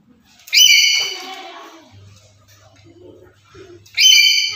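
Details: Black-capped lory, a bird that calls daily and is used as a master sound for luring and stimulating other lories, gives two loud, harsh, ringing screeches, one near the start and one near the end, with a steady low hum between.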